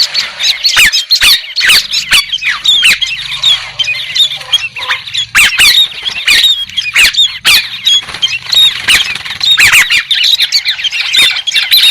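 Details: White-crested laughingthrush chorus of rapid chattering and cackling, with sharp clicks and squeaky notes running nearly continuously for about twelve seconds.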